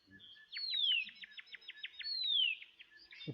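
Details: Adult Horsfield's Bronze-Cuckoo call: a high, thin whistle sliding downward, then a quick run of short falling notes, the pattern repeating, with a soft chirp at the end.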